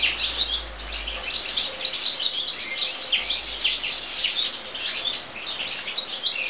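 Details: Several European goldfinches kept in an aviary, continuous high, bright twittering with rapid chirps and short trills layered together throughout, plus a faint low hum in the background.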